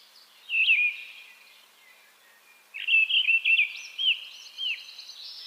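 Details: Song of a mistle thrush, one brief fluty phrase followed after a pause by a longer warbled run of clear notes that ends in a thin, high whistle.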